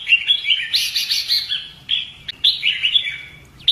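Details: Fighting song of a red-whiskered bulbul during voice training, a near-continuous run of rich, slurred warbled phrases with brief breaks and a hissy, sibilant overtone mid-phrase, against a quiet low background hum.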